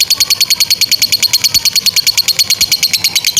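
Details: Lovebird fighter giving the long ngekek chatter, used as training audio for young or stalled lovebirds: a rapid run of sharp, high, even notes, about three per second, held steadily throughout without pause.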